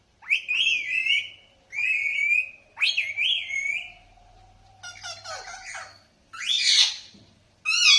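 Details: Parrot calling: three drawn-out, wavering whistled notes, each about a second long, followed by a short ragged burst and a harsh rising squawk, then another whistle starting at the end.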